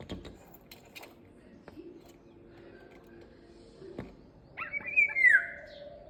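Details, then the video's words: Indian golden oriole phrase arriving late after scattered taps and clicks: quick fluty notes, then a smooth downward-sliding whistle. "Indian golden oriolus birds"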